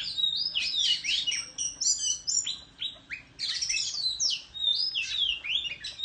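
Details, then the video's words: Oriental magpie-robin fanning its tail and singing in competition in the countryside, delivering dense bursts of high, sweet whistled notes, trills and sharp upslurs in quick succession. "Chích Choè Than Hót Múa Xoè Hót Đấu Tại Vùng Quê"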